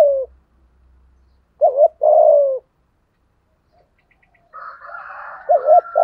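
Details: Spotted dove decoy calling in the 'thổ' style to draw in wild doves: a couple of low two-part coo phrases, with a higher, raspy chattering from another bird toward the end.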